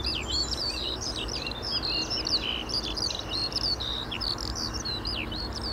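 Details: Unbroken, lively skylark song: quick high warbles, slurred whistles and chirps tumbling one after another, over a faint low hum of traffic.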